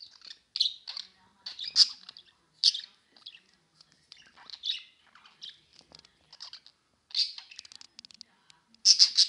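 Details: Pet budgerigars (Melopsittacus undulatus) playing chatter in quick bursts of high, scratchy chirps and warbles, broken by brief pauses, with sharper squeaks now and then. Budgerigar.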